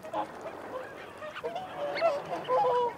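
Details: Whooper swans giving feeding and territorial calls among wigeon and mute swans: a steady babble of overlapping nasal honks, a few short and rising, with a louder cluster near the end.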